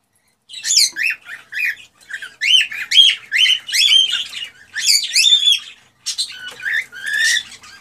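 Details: A male cockatiel sings excitedly to encourage a female to mate. Clusters of chirpy, warbling whistles arrive in quick bursts with brief breaks, followed by a final phrase of clearer, slurred whistles.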